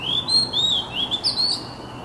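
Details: Oriental magpie-robin song meant as therapy for stressed kacer birds: a rapid string of sweet, high whistled notes, each gently rising and falling, running without a pause.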